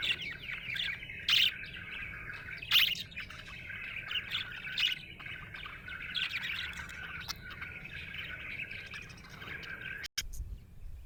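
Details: Happy budgie warbling steadily, a run of quick scratchy chirps with a few louder squeaks, ending with a click and a brief pause.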